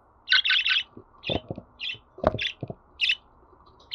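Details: Pet budgerigar chatter meant to set a listening bird singing: a rapid burst of three chirps, then spaced single chirps every half second or so, mixed with soft knocks and clicks.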